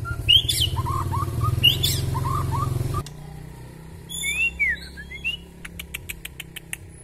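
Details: White-rumped shama (murai batu), a Kalimantan-type bird with a very long tail, singing actively with a rich fill of varied phrases: sharp whistled upslurs and short warbled trills, then scattered clear whistles and rapid ticking notes. A low engine-like rumble fills the first three seconds.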